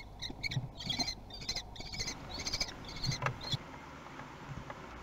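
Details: Kestrel chicks at a nest in Théding, 17 June 2020, competing for food: a couple of seconds of hoarse, buzzy begging trills in quick bursts, fading out to soft rustling and low thuds.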